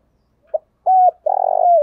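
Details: Part of a spotted dove's giọng thổ call, used to get decoy doves calling fast: a short soft note, a level coo with a clipped end, then a long trembling purr sinking in pitch.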